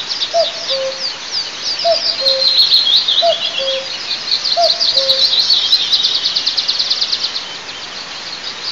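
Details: At Altynychi in the oil-producing south-east of Tatarstan, 9 May 2024, an eagle nest camera records a common cuckoo. It calls a descending two-note cu-coo four times in the first five seconds, then only other birds' rapid chirping continues.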